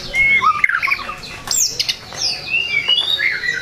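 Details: White-rumped shama song aimed at angering rival birds: clear whistled notes and slurred warbles, a few sharp clicks and squeaks, with a faint hum beneath.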